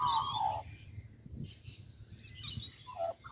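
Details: In a Kings Park tree in Perth, Western Australia, an Australian magpie opens with a fluty, falling warble, pauses, then adds short, mellow notes near the end over steady low background rumble.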